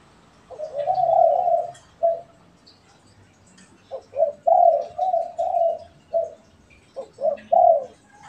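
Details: Spotted doves, one pet and one wild, calling back and forth: hoarse mid-pitched coos in phrases, a long rolling coo, a short one, then a run of five to six coos after a pause, with faint chirps behind.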